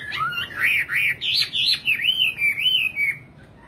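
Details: Nightingale delivering a rapid run of about nine looping, wavy whistled notes in a steady rhythm, then falling quiet.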